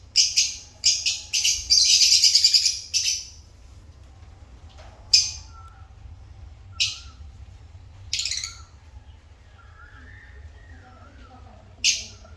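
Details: African lovebirds, pets, open with a run of piercing high chirps and a dense screechy burst, then fall mostly quiet with single sharp squeaks every couple of seconds.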